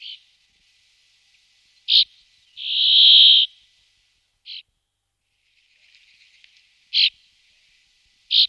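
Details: Two pairs of bramblings, watched through an afternoon and evening, give harsh, nasal wheezes: short buzzy notes every couple of seconds and one longer drawn-out rasp, with faint chatter between.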